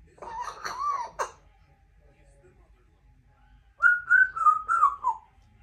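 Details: Two-year-old female Congo African grey parrot, a talkative pet in a country home, known for repeating phrases such as "Give me a kiss" and "I love you"; a wavering, voice-like warble, a pause, then a brighter four-syllable rising-and-falling whistled phrase, fairly quiet surroundings.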